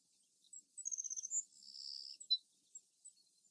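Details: Savannah Sparrow singing in a field where the birds nest, answering another sparrow: a few thin high chips, then a rapid stuttered trill, a long high buzz and a final short note.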